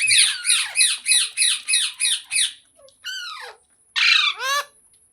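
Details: Green parrot calling in a fast, regular run of harsh squawks, about three per second, followed by a few louder, drawn-out screeches.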